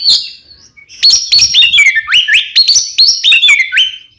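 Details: Oriental magpie-robin, kembar ngeplong style, used to prompt caged birds to sing: a quiet opening note, then a loud series of stepped, sliding whistles, each dropping and rising again, repeated several times.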